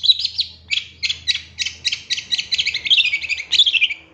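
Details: Long-tailed shrike, a 2023 champion bird, singing as a lure to make other shrikes answer quickly and get worked up: a rapid run of harsh, buzzy chattering notes, roughly four per second, with a faint low hum behind.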